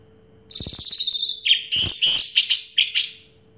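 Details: An orange-headed thrush that won first place in 2022 pours out dense, buzzy high warbling, followed by rapid chattering notes and shorter whistled phrases; a few faint clicks are heard.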